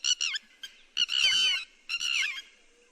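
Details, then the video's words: Lapwing calls used to lure birds into nets: short, high notes followed by two drawn-out, wavering shrill cries, with quiet gaps between them. "Tiếng chim te te mỏ vàng cực nhậy .đánh lưới chuẩn nhất"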